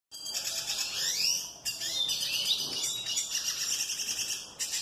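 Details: Male tarim singing to a female: a continuous, rapid high twittering warble of thin trills and sweeping notes, with a steady faint tone running beneath.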